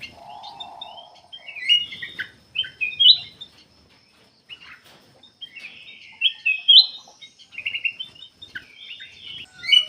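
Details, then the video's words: Singing black-capped bulbul, a recording used to lure other birds; after a low warbling opening comes a string of bright, clear whistled phrases, each a second or two apart, rising and falling. "KUTILANG EMAS \ CUCAK EMAS GACOR FULL GACOR sangat bagus buat pancingan \ pikat"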